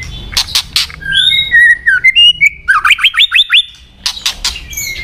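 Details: White-rumped shama song with clear whistled tones, a looping descending phrase, then a rapid series of rising notes repeated about every fifth of a second, framed by harsh broadband rasping bursts.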